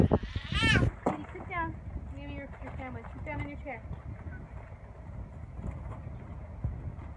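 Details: Canada geese at Sherwood Island State Park, Westport, Connecticut: a loud burst of nasal, harmonic honks opens, followed by several shorter, bending honks over the next three seconds, then low background rumble.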